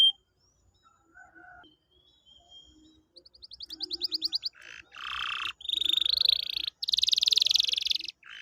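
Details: Canary singing to draw a quiet canary into song: faint scattered whistles, then an accelerating rattle of chips and loud buzzy trilled rolls, with light background clatter.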